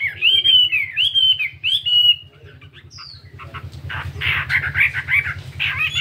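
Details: Chinese hwamei, a 72-gram fighting bird, in morning singing practice: a few loud slurred whistled phrases, then a quieter stretch with harsher buzzy notes over a constant low hum.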